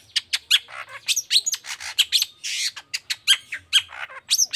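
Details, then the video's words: Long-tailed shrike singing vigorously in the 'toet toet' style meant to coax quiet shrikes into song; dense string of scratchy chatters, grating buzzes and thin high whistles tumbling together without pause. "Suara Cendet Gacor Toet toet"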